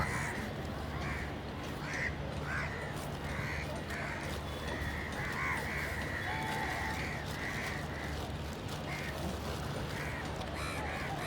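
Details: Crows cawing in irregular clusters, harsh nasal notes, some overlapping, spread across the whole stretch, with a persistent low-pitched drone underneath.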